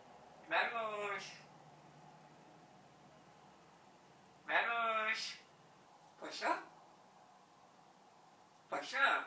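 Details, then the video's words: Pet talking parrot, kept two years and knowing about 80 words and marches, speaks learned Turkish words in four short bursts of voice-like, harmonic syllables, spaced a couple of seconds apart, in a quiet indoor setting. "Marş Söyleyen, Konuşan Papağan"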